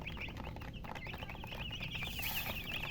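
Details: Hen chicks giving a steady run of high, quick peeping chirps, several overlapping, over a low rumbling background.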